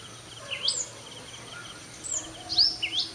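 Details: Sunbird at dawn, 5:30 AM, delivering quick swooping high notes that slide up and down, in two short bursts about two seconds apart.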